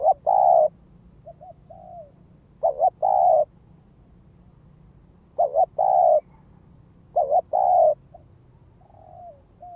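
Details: Ground lure spotted dove calling in the gáy gọi, thúc and kích bổi styles: paired short coos run into a long hollow coo, phrases recurring every two to three seconds, with faint softer coos between them.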